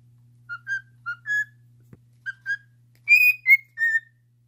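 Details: Pet cockatiel whistling a song indoors: paired short whistles, each stepping slightly upward, given three times, then a louder, higher three-note phrase falling in pitch; a low steady hum underneath.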